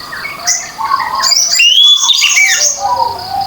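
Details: Orange-headed thrush ngeplong song, played as a lure for birds that will not sing: rapid high twittering with a clear rising whistle in the middle, over lower whistled notes and a constant thin background tone.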